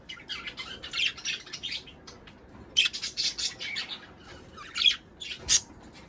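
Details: Budgerigars warbling to encourage mating: a fast, high twittering run, a short pause, then more scratchy chirps and sharp squeaks.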